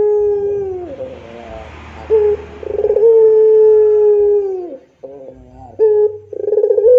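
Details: Long sustained pelung coo of a puter dove, a steady full tone held for nearly two seconds before sliding down, then a pause and fresh rolling, throbbing coo notes starting again.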